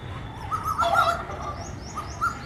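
An Asian koel gives short, clear whistled notes in a brief burst, then two more a second later. Faint high chirps from other birds and a low background rumble.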